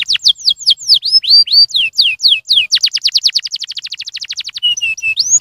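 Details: Canary singing as a prompt for other canaries: slow swooping whistles, then a quick rattling trill of evenly repeated notes, a short lower level phrase and a rising whistle to close, all clear and high.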